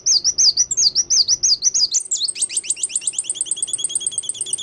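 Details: Sunbird singing actively: a fast, high, sharp series of wavy, whistled chirps that speeds into a rapid, even trill of clipped notes, about three per second at first, then faster.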